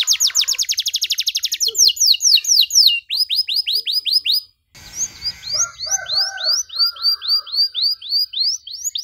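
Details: Energetic canary song with long bursts and rich phrasing, used as a model for young canaries: a very rapid high trill, then evenly spaced swept whistles. A brief low rustle follows, and a softer, lower chattering runs beneath.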